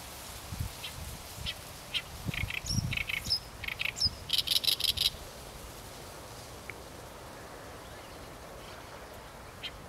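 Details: Oriental reed warbler song: after scattered single notes, a burst of loud grating syllables delivered in rapid repeated groups for about three seconds, then quiet with only an occasional faint note.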